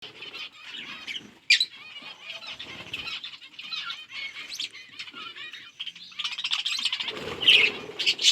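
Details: Several budgerigars chirping while they eat: dense, fast warbling chatter with overlapping scratchy trills and short bright notes, rising to a sharper burst near the end, with soft rustling below.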